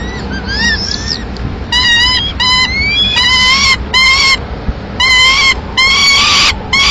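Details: In Madrid on 15 May 2016, a male peregrine falcon brings a still-living swift to the nest and the female finishes it. Arched harmonic call notes repeat in regular bursts about half a second long.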